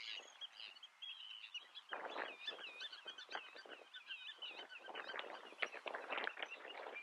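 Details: Eurasian whimbrel of the Icelandic subspecies islandicus, recorded at Snæfellsnes, Iceland, in June 2019: wavering, rippling whistled trills held at a high pitch, broken by loud bursts of wind or rustling noise.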